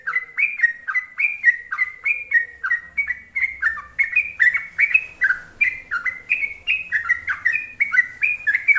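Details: Continuous song of a sooty-headed bulbul (trucuk) in the 'ropel panjang' style: lively, liquid whistled phrases repeated rapidly, each note bending downward, forming a steady bouncing chatter throughout.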